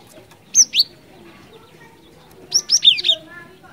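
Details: Cinereous tit in full song, ngerol ngeplong style, used to lure birds: a high two-note whistled phrase, then a faster run of four sharp slurred whistles two seconds later, with a soft low hum behind.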